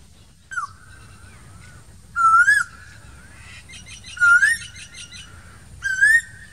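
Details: Asian koel in summer: one falling whistle, then three strong upward-sliding whistled notes about two seconds apart, with brief chirping from another bird mid-sequence.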